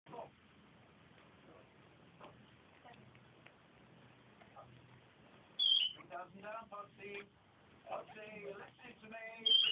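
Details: A pet Senegal parrot, a female once thought to be male, gets excited: a shrill high whistle, then a few seconds of rough, speech-like chattering, ending on another sharp whistle after a quiet start.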